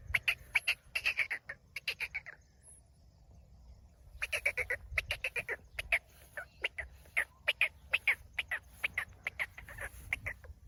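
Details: Harsh chattering series from a kept black francolin: quick bursts of rasping notes, a pause of about two seconds, then more irregular repeated clipped calls over faint low hum.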